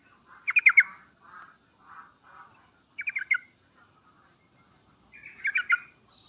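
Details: Sooty-headed bulbul, used as a lure for birds slow to sing: three short stuttering bursts of rapid notes, with soft murmuring notes between the first two.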